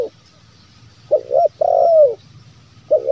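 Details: Zebra dove lure call used to draw wild doves: short double coo notes followed by a longer, slightly falling coo, with a faint low hum underneath.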